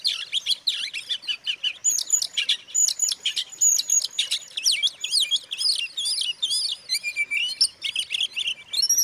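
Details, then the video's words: Lure song of an Oriental magpie-robin meant to excite rival birds: dense, unbroken stream of sharp chips, clear whistles and scratchy trills, with fast changes of note and steady loudness throughout. "suara kacer buat pancingan kacer lain emosi"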